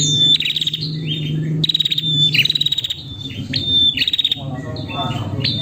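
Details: Calling female prinia seeking the male: clear high whistled notes and rapid stuttering chirp trills repeated through the recording, with a low engine-like hum underneath.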